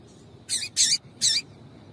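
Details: Female double-collared seedeater call, played to make the male sing: three short, high, buzzy chips in quick succession, the last after a brief pause.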